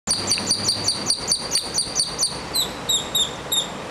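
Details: A strutting grackle gives a quick run of sharp, high, metallic chips, about four a second, then several slurred downward whistles over faint background hiss.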